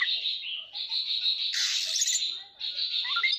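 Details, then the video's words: Displaying Oriental magpie-robin in captivity gives a steady high whistled song, a held shrill note broken by a harsh buzzy burst, then the whistle resumes with small rising flicks. "Chòe than hót xòe"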